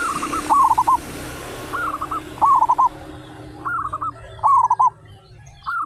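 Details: Thirty-five local zebra doves in full, loud song; quick rattling coo phrases alternate back and forth about every second over constant hiss and low rumbling noise.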